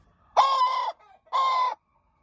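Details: Hen crowing: two drawn-out, harmonic, rather flat crowing notes, each about half a second, separated by a short quiet gap with a faint low murmur.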